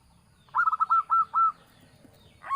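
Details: Local Javanese zebra dove recorded as a lure call for trapping: one short phrase of rapid, rolling, coo-like notes lasting about a second, followed by a faint start of another phrase over low background hum.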